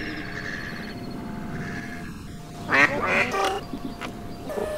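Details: Mallard (Anas platyrhynchos) quacks recorded from a boat in the Brière marshes: a short burst of loud, harsh, nasal calls in quick succession after a quieter stretch of low background noise.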